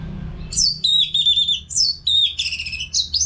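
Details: Orange-headed thrush in full song, used as a training sound for caged birds: loud, varied whistled phrases, high sliding notes dropping into a sustained wavering whistle, then quick rising and falling fragments in rapid succession.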